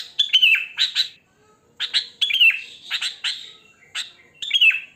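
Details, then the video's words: Sooty-headed bulbul, natural wild song used to attract other bulbuls: short bubbly phrases with bright notes sliding downward, in quick bursts separated by brief pauses. "Suara Kutilang Asli Alam Tanpa Isian Gacor"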